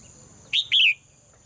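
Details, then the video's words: Caged female bird heard in her daily morning song, giving a short chirp followed by a longer, slightly falling chirped note, with a steady high whine underneath. "เสียงนกร้องเจี๊ยก ๆ ไพเราะมาก"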